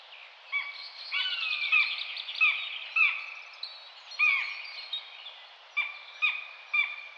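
Common buzzard giving a series of high, thin, down-slurred mewing calls, irregularly repeated about once a second and sometimes overlapping, over a light background hiss.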